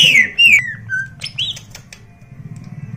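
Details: Greater green leafbird of the Medan type, a national champion with a voice described as rough and insistent: loud slurred whistles sliding downward, a brief level note, then a rising whistle amid dry clicks and chips over a low hum.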